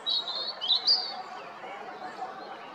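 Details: Robin song from Jarun, Zagreb, Croatia, 13 April 2022: a brief burst of high, squeaky warbled notes in the first second, fading into soft background noise.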